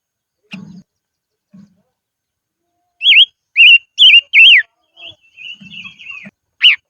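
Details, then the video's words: Silver-eared mesia decoy bird singing in the highlands: a phrase of four loud, wavering whistled notes in about two seconds, followed by a softer drawn-out note. Faint low thumps and rustles come before it. "Chim Ngũ Sắc Mồi Hót Trên Vùng Cao"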